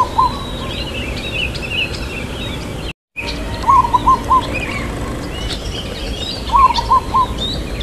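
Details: Zebra dove of local stock giving a long "kuk" song in the irama lelah rhythm: three mellow cooing phrases, each an upslurred opening note then short repeated coos, with a brief dropout midway and twittering birds behind.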